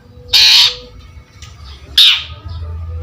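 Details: Long-tailed shrike giving two loud, harsh, rasping squawks about one and a half seconds apart over a low background hum.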